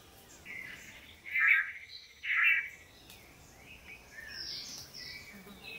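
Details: Long-tailed manakin males displaying to a female at a Costa Rican lek; a faint buzzy note, then two loud nasal buzzes close together, followed by softer chirps from other birds.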